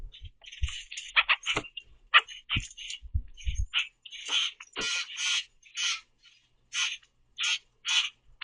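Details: Common grackles loudly chirping and swooping at a nearly empty backyard feeder of sunflower seeds; a rapid run of harsh squawks and chirps gives way to evenly spaced buzzy rasping notes.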